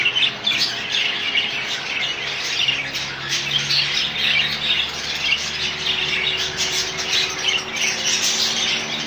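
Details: Rainbow budgies in a colony fill the air with unbroken, high, chattering chirps and squawks, and a faint low hum runs underneath.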